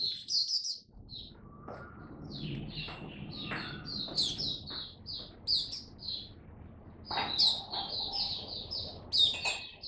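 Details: Hobby-kept Oriental white-eye singing on its first day back. Bursts of high, thin twittering notes come in uneven clusters between softer gaps, with a few sharp clicks and low background rumble.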